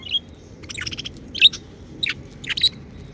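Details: Happy pet budgies give a few short high chirps and warbling notes in quick bursts, separated by brief quiet gaps.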